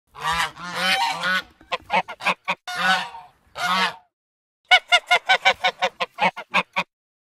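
A goose gives several long, harsh, nasal honks, then after a short pause a quick run of about ten clipped honks, with nothing else audible.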